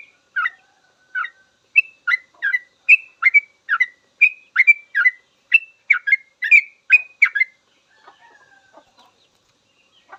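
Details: Master song of a sooty-headed bulbul for teaching cage birds; a lively sequence of whistled, bouncing notes roughly twice per second for seven seconds, followed by faint soft twittering and a final note.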